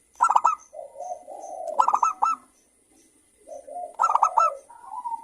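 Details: Local zebra doves in noisy exchange, played to prompt another bird to sing: three quick staccato bursts, each followed by a soft descending coo, repeated roughly every two seconds with a brief silence midway.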